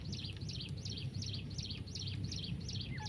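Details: Female grey francolin calling: a rapid series of identical high, squeaky notes repeated about three times per second, over a steady low background hum.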